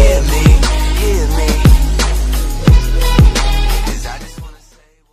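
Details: Heavy bass-driven hip hop beat with booming kick drums about twice a second, fading out at the end, with no animal sound.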